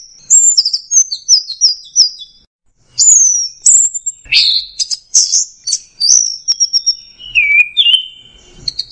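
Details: Orange-headed thrush (anis merah) singing 'teler' style: high whistled phrases repeated several times, a brief pause, then louder varied notes that drop to lower slurred whistles near the end.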